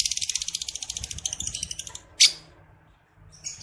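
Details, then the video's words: Lovebird ngekek trill from a male in breeding condition, played to stir other males to trill: a long, very fast rattling chatter of even pulses lasting about two seconds, then one sharp high chirp and a brief resumed rattle. "Pancingan lovebird jantan, birahi ngekek."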